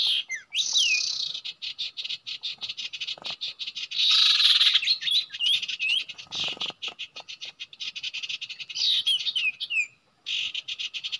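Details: Common iora at a usual nesting site: dense, rapid high chattering notes running almost continuously, with a louder buzzy burst in the middle and sliding whistled notes mixed in.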